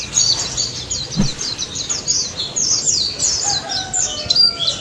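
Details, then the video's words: Pleci daput white-eye singing a steady run of high, scratchy twittered notes in the 'ngalas nembak' style, a soft thump heard near the start. "BURUNG PLECI DAPUT GACOR NGALAS NEMBAK"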